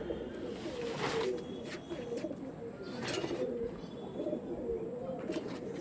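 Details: Pigeons cooing: low, soft rolling coos repeated every second or so through the recording, several overlapping, with occasional clicks and knocks in the background.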